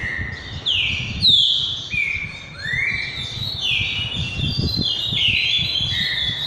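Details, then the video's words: Green-winged saltator singing in the repeater 'boiadeiro' song style: loud, rich whistled phrases of slurred notes, some sweeping down and others rising, in a steady run of repeated motifs over a low background rumble. "Trinca boiadeiro REPETIDOR"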